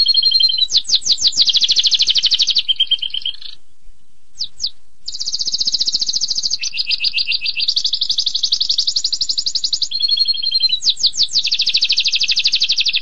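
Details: Canary delivering an extended song of fast, high trills and buzzy rolls in changing tours, broken by a short pause and a few sharp chirps before resuming its continuous rolling phrases.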